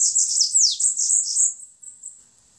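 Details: Bananaquit, locally sibite 'rabo torno', delivering its 'belga' song style: a short, very high, sizzling phrase of quick downward-sweeping notes, fading into faint thin tail notes.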